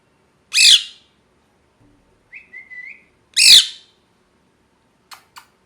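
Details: Kept parrot, molting and missing feathers, gives two loud harsh rasping squawks about three seconds apart, with a short thin whistle between them and two faint brief chirps at the end; quiet indoor background.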